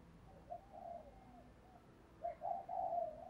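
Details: Spotted dove singing in the thổ voice style, its 'thúc gù' cooing: soft, low, hollow coo notes that drift and waver, a quiet pause, then a louder run of joined coos, with faint background hiss.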